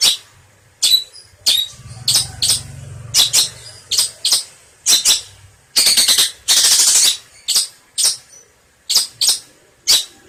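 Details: Long-tailed shrike (cendet) in a tutor recording for songbirds: rasping, harsh notes in irregular bursts, with one longer buzzy, grating phrase near the middle and a low hum in places.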